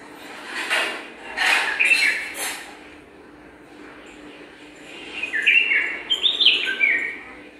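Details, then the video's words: Several rustling bursts in the first half, likely from nest work, then a cheerful chattering run of liquid whistles from the bulbul pair building their garden nest. "Pair of Bulbul preparing the nest with their lovable voice"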